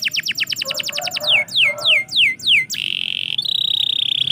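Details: Canary singing in the morning: rapid trills of steep downward-sweeping whistled notes, then slower, louder descending sweeps repeated about every quarter second, ending in a steady high buzzy rolled tour.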